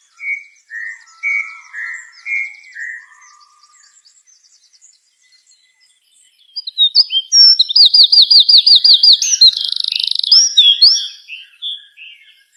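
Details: Songbird singing a few soft downslurred whistles, a pause, then a loud burst of rapid repeated trilled notes and sharp chirps.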